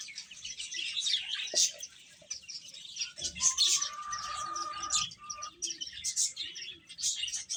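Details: Baby chickens feeding amid constant shrill peeping, with a brief flutter of wings and a long, steady whistled note held for nearly two seconds midway.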